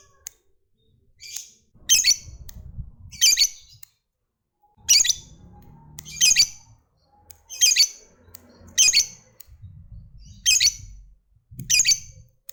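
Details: Lovebird of the fighter type: harsh, high squawking notes in pairs and short bursts, spaced about one to one and a half seconds apart, with faint low thumps between them.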